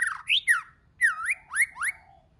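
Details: White-rumped shama phrase of bold, fluty whistles, each swooping up and then dropping, delivered in pairs with short breaks between them.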